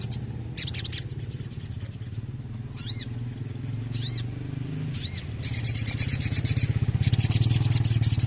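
Sooty-headed bulbul giving bright, chattering phrases and ringing downslurred whistles about once a second, over a steady low engine-like hum.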